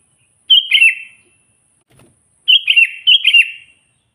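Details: Sooty-headed bulbul challenging rival wild bulbuls with natural, unmixed song: one bubbly warbled phrase, a pause with a faint knock, then two quick phrases back to back, bright and liquid.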